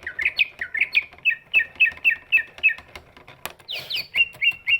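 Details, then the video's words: Greater green leafbird, big-bodied, its song used to lure lazy birds into singing; quick repeated whistled chirps wavering up and down, one sharp snap, then high squeaky slurs and a few steady whistles. "cucak ijo body big, suaranya bisa buat pancingan burung yang malas bunyi"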